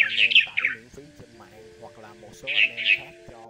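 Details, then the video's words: Male and female red-whiskered bulbuls calling the flock for trapping: a burst of burry chirps, a quiet gap filled with low hums, then two more rasping notes. "Tiếng Chào Mào Xanh , Bông Lau Trung Quốc Gọi Bầy Trống Mái"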